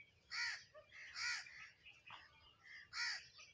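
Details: Sparrows at home chirping while eating food: three loud, harsh chirps in the first three seconds, each a rough burst, with softer chatter between them.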